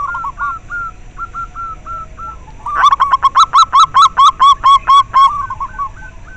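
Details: Local zebra dove used to encourage captive doves to sing and to lure them: a series of short hooked whistled coos, then a loud, strongly rhythmic run of about a dozen ringing notes, then gentler coos again.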